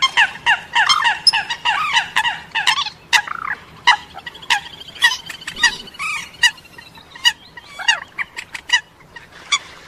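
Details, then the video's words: Eurasian coot and moorhen calls mixed together: dense bursts of short, nasal, clucking notes from overlapping birds, crowded at first, then more spaced and repeated irregularly, with a brief low rumble midway. "New Coot And Moorhen Mix Call"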